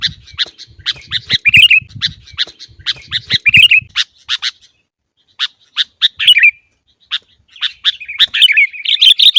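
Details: Sooty-headed bulbul song used to train caged birds to sing: busy bursts of harsh chirps and short warbled phrases, with brief gaps, low thumping noise in the first four seconds.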